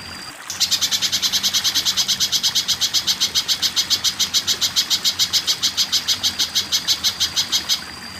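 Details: Spiderhunter tutor recording for training caged songbirds: a steady series of sharp, high chipping notes, about five per second and even in pace, running for roughly seven seconds. A faint, thin steady tone sounds before and after the series.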